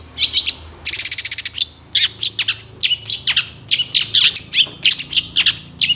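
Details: Long-tailed shrike song from a master recording for tutoring songbirds, full of varied filler phrases: bursts of rapid high chattering trills alternate with sharp downslurred whistles and buzzy notes in quick succession, faint low hum beneath.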